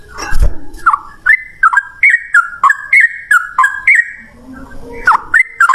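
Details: Yellow-vented Bulbul 'ropel ngalas' song played as a lure to make other birds reply; after a low thump, quick bright warbled notes repeat steadily, each sliding down then up, fading briefly before resuming.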